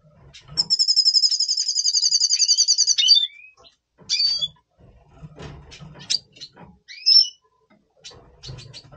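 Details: Double pastel red siskin in pre-breeding condition, November 2023, opening with a fast, even high buzzy trill of about three seconds, then scattered sharp chirps and short upslurred whistles over faint low hum.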